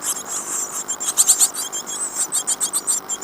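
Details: Great tit nestlings in a birdbox in Falmouth, UK, 15 days after hatching (25 April 2011), beg in a high, hissing, scratchy chorus, pulsing rapidly several times a second with no other sounds.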